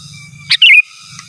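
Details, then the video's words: Sooty-headed bulbul calling a rival with a single short phrase: a sharp note then a liquid falling warble, with a low rough hum before and after. "Suara Burung KUTILANG GACOR Asli Tanpa ISIAN Ampun Untuk Suara Panggilan dan Masteran"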